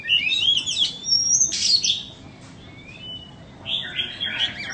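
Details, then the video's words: White-rumped shama for sale gives a few bright whistles and a buzzy burst, pauses for over a second, then ends with a rich, fluty phrase. "Chích choè than bông"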